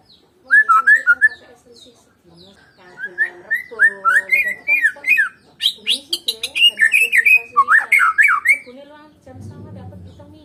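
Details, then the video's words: White-rumped shama of the Medan type singing without a rival: varied phrases of whistled, warbling notes with rapid slurred trills and sharp clicks, loud bursts about three per second, ending with a brief low hum. "KICAUAN BURUNG MURAI BATU MEDAN TANPA LAWAN"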